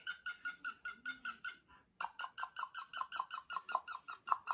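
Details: Several pet cockatiels at home, indoors: soft, evenly repeated chirping calls, about two per second, a brief pause, then a faster, louder run of the same harmonic chirps with low rustling beneath.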